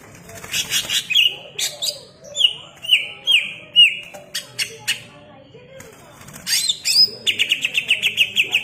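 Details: Greater green leafbird in full, energetic song: varied short whistles, several slurred notes, quick clipped chirps, and a closing series of rapid, evenly repeated high notes.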